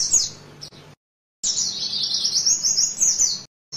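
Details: Oriental white-eye training (tutor) recording: a very high, rapid twittering warble in fast-running bursts, broken by abrupt silent gaps.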